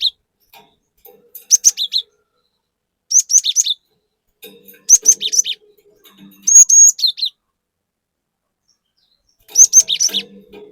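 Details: Cinereous tit, a lively 'gacor' bird in 'nembak' style, used as a lure to provoke other birds. Short bursts of high, sharp, twittering chirps and slurred whistles, about four bursts separated by silent gaps, with a brief clear whistled note near the middle.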